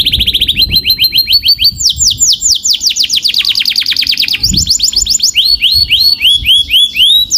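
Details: Canary in full song, moving through successive tours: quick repeated chips, a rising series, then dense rapid downward-sweeping notes, each tour at a slightly different pitch.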